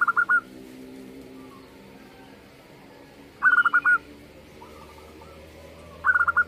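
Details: Local-strain zebra dove repeating short rolling phrases of four or five quick coos about every three seconds, with a softer broken phrase between and a steady low hum behind.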